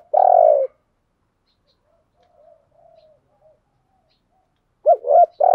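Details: Decoy spotted dove used to lure wild birds, giving a long, low, falling coo. Faint soft murmurs follow, then the start of another phrase with quick bouncing notes. The background is quiet.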